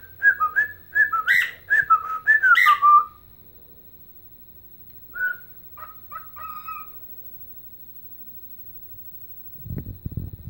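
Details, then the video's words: Dancing pet bird and Blackhawks fan imitating Chelsea Dagger: a busy burst of looping, up-and-down whistles with a few rough squawks, then scattered single whistled notes and a rustling noise at the end. "Singing and Dancing Ike Bird"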